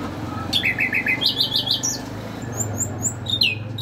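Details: Nightingale in song, a rapid series of short repeated notes rising in pitch, then high thin whistles and a sharp downslurred note, with low hum beneath.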